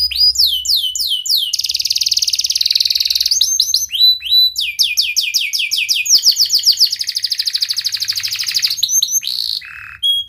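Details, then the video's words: Long sharp-toned canary song meant to set quiet canaries singing: repeated falling whistled notes alternate with dense rapid trills, several phrases in succession, ending with a brief lower buzzy note. "KENARI GACOR Suara Tajam Cuit Cuit ngeroL TERAMPUH untuk Pancingan kenari MALAS dan BISU cepat BUNYI"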